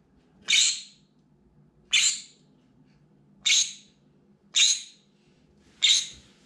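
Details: Indoors, a pet green-cheeked conure screams at whatever happens outside its window: five piercing, grating shrieks spaced roughly a second apart, each rising sharply then trailing off, with only faint room hum between.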